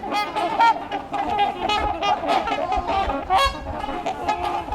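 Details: A curious flock of trumpeter swans, mostly tagged birds from a provincial reintroduction program, wintering at LaSalle Park, Burlington, Ontario, in March 2021, keeps up a dense chorus of overlapping horn-like honks, some rising into brassy blasts.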